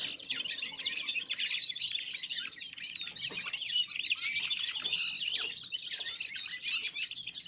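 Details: A chorus of red-fronted serins and other birds singing in unison, a steady stream of high, rapid chirps, jingling trills and short whistles running throughout with no pauses.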